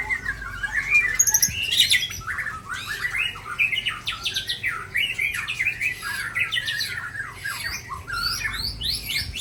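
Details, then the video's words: White-rumped shama from Aceh, Indonesia, pouring out its full repertoire of mimicked fills: a continuous dense stream of rapid chattering, warbling and buzzy notes, steadily varied, with no pauses. "Murai Ujong Pancu Super Bongkar Isian Super"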